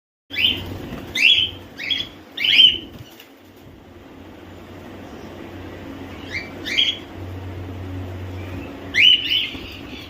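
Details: Home-bred cockatiels (Nymphicus hollandicus) give sharp, rising chirps: four in quick succession, then a pair, then one more near the end, over a low steady hum.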